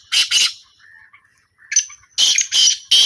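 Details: Black francolin calling in a trial: two harsh bursts, a soft low warbling murmur, then a whistled note leading into three loud, rough, rasping notes close together.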